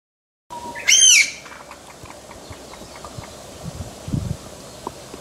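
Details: A Chinese bamboo partridge in the Omuro Highlands villa area, Izu, Japan, gives its single-note call, not the "chotto koi" phrase: one loud, ringing, arching note of about half a second, then faint ticking and quiet outdoor background.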